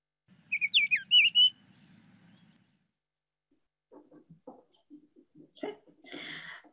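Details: Female Baltimore Oriole song: a brief run of clear, piping whistles, several slurring downward, lasting about a second. It is shorter and simpler than the male's song. A man speaks afterwards.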